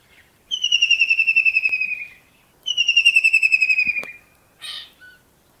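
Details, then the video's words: Kingfisher perched at early morning in Pakistan, giving two loud descending trills of rapid whistled notes, each about one and a half seconds long, followed by a short harsh burst. "Kingfisher | Amazing Kingfisher bird song"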